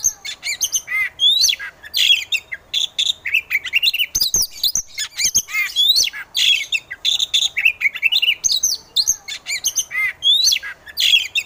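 Oriental magpie-robin singing a rapid, unbroken run of varied high whistles, slurred rising notes and sharp chips, with no other sounds.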